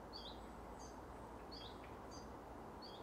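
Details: Willow warbler, recorded 3 August 2024, giving soft, high, slurred call notes about every two-thirds of a second, faint over a steady rumble of background noise.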